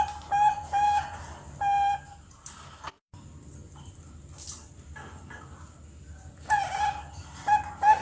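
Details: Two-month-old captive Bangkok-type zebra dove chick on a bird farm, learning to sing: a few clear, level cooing notes near the start, a long quiet gap with faint background noise, then several more short notes toward the end.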